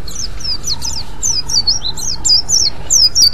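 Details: White-eye giving the ngriwik call, used to lure other white-eyes: a continuous run of thin, high, downslurred chirps, each note quickly sliding down and closely repeated, over a low background hum.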